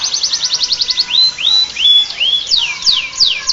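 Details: Canary giving Bar-winged prinia (ciblek) imitation: a quick high trill gives way to arching whistled slurs, rising then falling, repeated about every half second, then steep down-sweeping notes.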